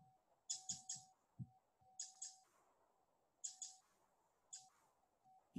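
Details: Pacific Wren giving its very typical call, possibly a contact call, with rapid runs forming a long call: sharp, dry chips in quick doubles and triples, each burst about a second apart, over a steady electrical hum and soft thumps.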